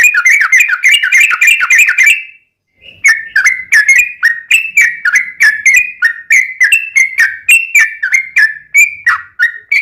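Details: Yellow-vented bulbul ropelan song with ngelituk fill and straw-headed-bulbul-style phrases, a master for caged birds: a dense rolling burst, a brief gap, then a steady stream of separate whistled notes dropping and rising, roughly four per second.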